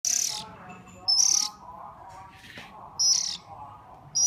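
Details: Hungry bird being hand-fed, giving harsh, hissing high-pitched begging calls in four short bursts, each about half a second long, spaced by pauses of over a second.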